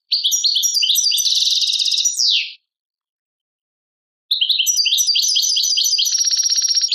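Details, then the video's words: European goldfinch song from Tadmait, Algeria: rapid high twittering phrases mixing tinkling notes and buzzy trills, about two seconds of song, a silent pause, then a second burst ending in a sustained buzzy rattle. "chardonneret chant tadmait"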